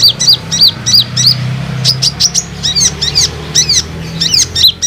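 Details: High, thin, twittering chirps from an olive-backed sunbird, used as a lure call to provoke other sunbirds. Notes come fast and slightly uneven, some doubled into chevron-like slurs, over a soft low hum.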